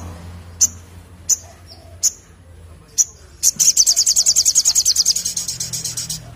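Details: Crimson sunbird, gacor ngleper ngalas song: four evenly spaced high chips about a second apart, leading into a long, accelerating trill of thin, very high notes.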